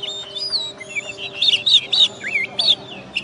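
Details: Caged oriental magpie-robin, first-place contest champion from West Kalimantan, Indonesia, singing a rich, rapid run of high whistles, wavering slurs and trills packed closely together, with faint low background hum.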